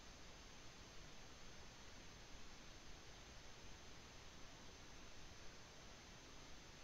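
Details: Only a faint, steady hiss of background noise is heard throughout.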